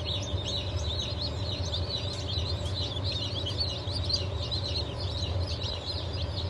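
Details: Chorus of day-old chicks, Legbar, Silver Wyandotte, Sussex and Wyandotte breeds from a 28 June 2023 hatch, giving rapid, piercing peeps that overlap densely throughout, set against an even low mechanical hum.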